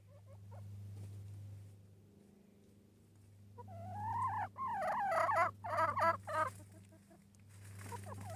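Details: A yard hen inside a little tunnel gives a burst of wavering, nasal clucks and squawks, several in quick succession, over a steady low hum.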